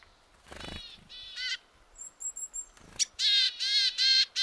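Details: Forceful willow tit vocalizing: a few thin high tones, then loud, harsh, nasal buzzy notes in a quick series of three to four, broken by faint rustling.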